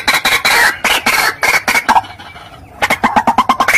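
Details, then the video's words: White-breasted waterhen lure call used to attract the bird, from Java, Indonesia: loud, harsh, rapidly repeated clucking notes in fast bursts, a brief quieter pause, then another quick series of throaty repeated calls. "suara pikat burung ruak ruak / wak wak / truwok / Kreo padi"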